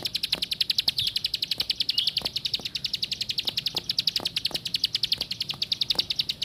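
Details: Plain prinia singing a fast, steady series of sharp high notes, about three to four per second, held for the whole stretch, with faint low ticking knocks in the background.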